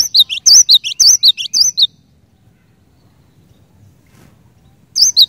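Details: Cinereous tit song said to quickly prompt other cinereous tits to sing: sharp high whistled two-note phrases repeated rapidly for about two seconds, a quiet gap, then the phrase starts again.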